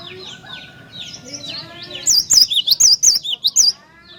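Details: Cinereous tit singing, used to provoke other tits: other birds chirp softly at first, then a loud two-second string of high, wavy, alternating whistles follows.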